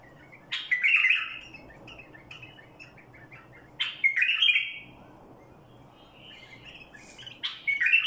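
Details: Badrawi bulbul singing: short bubbly, fluted phrases that break into a rich warble, delivered in bursts roughly every three seconds with quiet gaps between them and faint low background noise.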